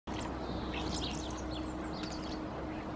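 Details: A flock of common starlings (Sturnus vulgaris) foraging at a winter feeding site in Helsinki, Finland, in February 2022 gives overlapping short, high chirps and squeaky notes, scattered throughout, over a steady low hum.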